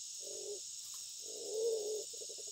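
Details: Black-naped fruit dove (Ptilinopus melanospilus), said to be calling a female in breeding season, gives a short low hoot, then a longer, slightly swelling coo ending in a quick stutter, over steady high insect hiss.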